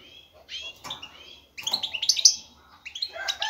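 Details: Male European goldfinch ready for mating, singing excitedly to call and attract a female: high, scratchy twittered phrases in short bursts with a brief pause, over a faint low hum.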